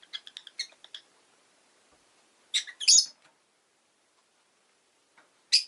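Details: Rapid run of short high chirps from a rosy-faced lovebird, then silence, two loud harsh squawks around two and a half to three seconds, and one final shrill call at the end.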